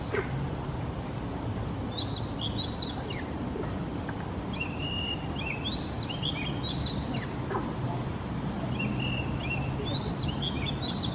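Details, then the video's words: Oriental magpie-robins in Singapore, each said to sing its own tune, sing short, varied whistled phrases, some rising and some falling, every second or two over a steady low rumble of background noise. "Bird Song: Compilation of ORIENTAL MAGPIE-ROBIN Singing"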